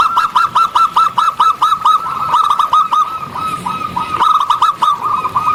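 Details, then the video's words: Zebra dove of the local type singing outdoors, repeated crisp curled notes with a rattly upper edge, roughly two per second, then a softer overlapping stretch. "Perkutut Lokal Gacor Audio Jernih Tanpa Noise"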